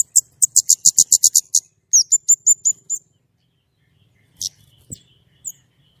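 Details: White-rumped shama, gacor nembak style with clear voice: a fast series of about ten piercing high notes, then five repeated down-slurred whistles, followed by silence and a couple of soft scattered chirps.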